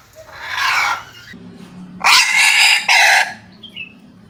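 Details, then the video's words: Red junglefowl from Java crowing: a loud, rough opening phrase, a pause, then two strident bursts in quick succession, with faint background hum and a brief high chirp from another bird at the end. "keindahan ayam hutan merah Jawa"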